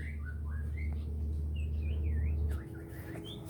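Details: Magpie-robin, called murai or kacer, singing freely in Neipu plantation: a string of varied whistled notes, some rising, some looping in wavy slurs, over a steady low engine-like hum that fades near the end.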